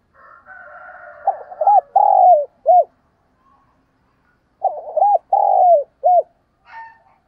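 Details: Spotted dove call used to lure and stimulate other doves: two deep, hoarse cooing phrases a few seconds apart, each a quick stutter of short notes, a long rolling coo and a clipped final note, with faint higher sounds at the start.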